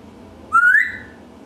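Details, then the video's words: An African grey parrot making noise gives a single clear whistle lasting about half a second, sliding gently upward in pitch and then fading, against a quiet indoor background. "Talking and Making Noise - African Grey Parrot"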